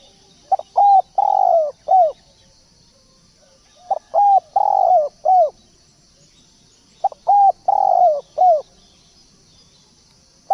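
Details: Turtle dove cooing in three repeated phrases about every three seconds, each with two short notes, a longer purring note and a final arched coo, over faint steady background hiss.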